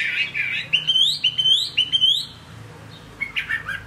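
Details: Chinese hwamei in a cage during rain: a warbled opening followed by four ringing upslurred whistles, then a pause and soft chattering notes.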